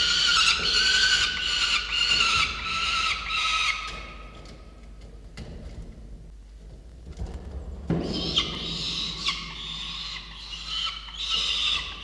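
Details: Peregrine falcon chicks, Indigo and Rubus, on a falcon nest camera on 22 November 2019 give harsh, screechy calls in rapid repeated bursts. They pause mid-clip, then resume loudly over a low background hum.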